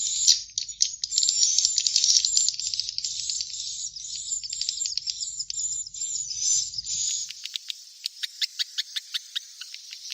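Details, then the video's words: Swiftlet chicks' calls, used to draw swiftlets in to roost: dense, high, buzzy chirping and twittering for about seven seconds, then a run of sharp, separate clicking ticks. "SUARA WALET ANAKAN"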